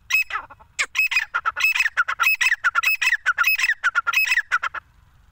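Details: Female grey francolin (teetar) calling: loud, harsh, rapidly repeated notes in rhythmic bursts, roughly twenty notes in five seconds, with a quiet background and no other clear sounds.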